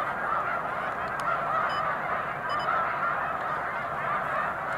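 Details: Snow geese in a huge flock lifting off together when a boat comes near, March 2021; countless honking calls blend into a constant roar, with a few sharper honks standing out and brief clicks above.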